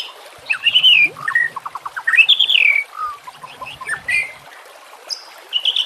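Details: White-rumped shama song used as a lure and for training reluctant birds: varied clear whistled phrases, a quick run of falling notes, rising slurred whistles and short bright trills separated by brief pauses.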